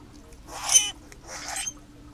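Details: A group of Common Grackles, a bird native to the Americas: two harsh, rasping, wide-band squawks about a second apart, each lasting under half a second, against a quiet background.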